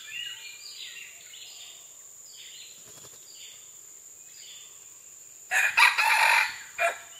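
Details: Red junglefowl recorded on June 12, 2011; after several seconds of quiet chirping from smaller birds and a steady high insect hum, a loud harsh crow bursts in near the end, followed by a short final note.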